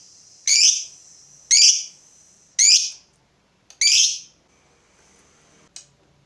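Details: Provoked fighter lovebird giving 'ngetik' calls: four harsh, shrill chip notes about one per second, then a quieter faint note and a brief click.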